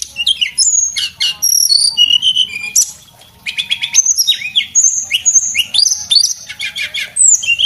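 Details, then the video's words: A male Javan whistling thrush, recorded as a model for training cage birds, delivers energetic high twittering phrases and sliding whistles, pauses briefly near the middle, then resumes with rapid chattering notes. "tledekan gunung jantan gacor buat masteran"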